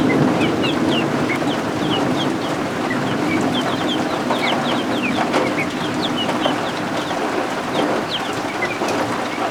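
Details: Newly hatched helmeted guineafowl keets, kept indoors warming under a heat lamp, give high, thin peeps over the steady hiss of rain and thunderstorms outside.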